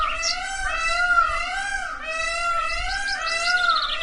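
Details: Indian peafowl, a peacock, giving loud, nasal, wavering calls with a rich harmonic tone that rises and falls in slow waves, about once every second, with a low background hum.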